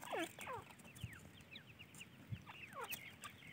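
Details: Young francolins calling: loud curved downslurred peeps open and close the passage, with softer high chirps and two dull knocks in between.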